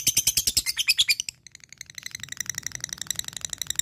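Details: Calling an opponent, a fighter lovebird in strong voice gives loud shrill rapid notes, pauses briefly, then continues with a quieter, busy stream of fast high ticking chatter.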